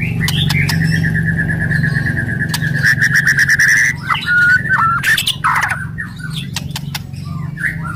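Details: Hard kretekan from an aggressive white-rumped shama, played to stimulate other birds. A sustained buzzy rattle lasts about three seconds, followed by whistled slurs and sharp clicks over a steady low hum.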